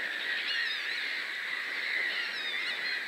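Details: Black-tailed godwits, a male and a female, call together in a dense, unbroken chorus of nasal, overlapping notes with no pauses, during a fight and when another bird flies in; recorded in Poland.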